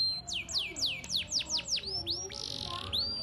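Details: Canary in full song with rich, varied phrasing, kept to prompt other canaries to sing: a run of repeated steeply falling whistled notes, then a buzzy sustained trill and a final rising whistle.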